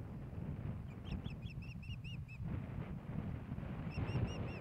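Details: Osprey at its nest in Hellgate Canyon, Missoula, Montana, 15 May 2016, as a fish is delivered to the female. Two bursts of arched, shrill chirps, about eight then five, separated by a short pause, over low hum.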